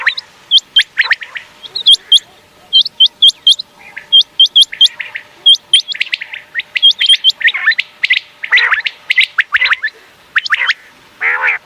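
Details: Long series of common quail calls, presented as the best sound for night hunting: upward-flicking high notes in rapid threes, with busy lower chirps building toward the end.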